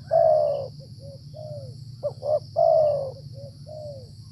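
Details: Tekukur (Spotted Dove) during decoy trapping in rainy weather. A long falling coo is followed by small soft notes, then a pair of short notes and another long coo. The background has a low hum and a high thin tone.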